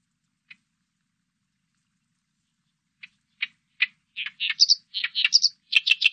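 An Oriental reed warbler gives a few scattered harsh notes, then speeds into a loud, grating, chattering run of high rasping syllables. No other sounds are heard.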